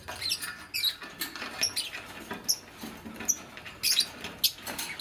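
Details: Nest-making green Fischer's lovebird with a pastel bird: scattered thin, high squeaky chirps over a steady rustle of scratching and clicking.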